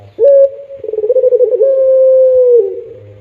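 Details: Pelung-style coo from a puter dove. A short clear opening note leads into a quick fluttering, trembling section, then a long even mellow tone held about two seconds that drops off at the end. Faint low hum underneath.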